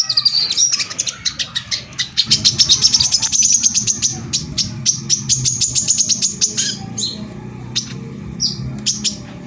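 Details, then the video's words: Brown-throated sunbird (kolibri kelapa) delivering 'tembakan rapat' rapid song to stir other sunbirds into singing: a long accelerating string of sharp high ticks, roughly four per second, fading to sparse chips and short whistles. "suara pancingan korlap gacor tembakan rapat || ampuh memancing korlap agar emosi dan bunyi"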